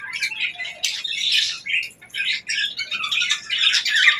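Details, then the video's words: Happy budgerigars chirping: a busy stream of bright, warbling chirps and short squeaks, with brief pauses near the two-second and two-and-a-half-second marks, then continuous chatter again. "Budgie Chirping Sounds: Happy Birds"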